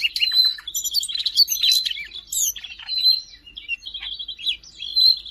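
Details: Siberian rubythroat song from Jakarta, 5 March 2025, built on sustained high trills broken by quick chirps and a few upward-swept whistles, presented as master song for all songbird kinds.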